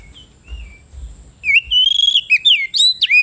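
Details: Oriental magpie-robin (kacer) singing 'ngeplong gacor' to challenge a rival: soft distant whistles with low thumps, then a loud fast sequence of ringing slurred whistles and sharp downward sweeps.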